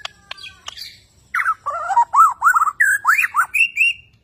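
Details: Borneo white-rumped shama singing: a few thin high notes, then a rapid series of rich looping whistles rising and falling about four times a second, ending on higher notes.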